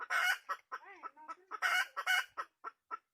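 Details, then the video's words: Wild red junglefowl hen cackling: loud, coarse squawks mixed with a drawn-out wavering whine and several shorter clucks, uneven and excited in rhythm. "suab poj qaib qus"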